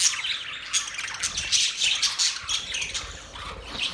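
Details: Busy parrot chirping: rapid, scratchy high notes tumbling over one another with hardly a pause, like a lively flock.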